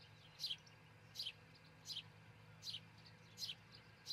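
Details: Osprey at its Charlo, Montana nest, cam recording before sunrise on June 22, 2018; six piercing descending chirps, each slightly doubled, evenly spaced, over a low background drone.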